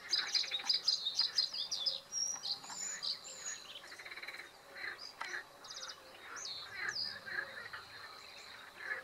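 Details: A male bluethroat singing in reed beds at Halastó ponds, Hungary, gives a fast, varied song of ringing notes, buzzy trills and sharp chirps, with a thin steady high tone running behind it.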